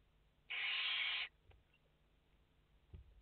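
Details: One barn owl chick in a nest holding five young, live camera, 29 August 2021: a single strong, breathy hiss under a second long, followed by faint scratching and a soft low knock.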